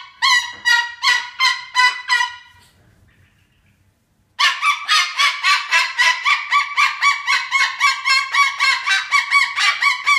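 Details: Cockatoo giving a repeated harsh, honking alarm call on a playground tower, about four rapid squawks per second, a brief pause, then a longer run of loud raucous bursts continuing steadily.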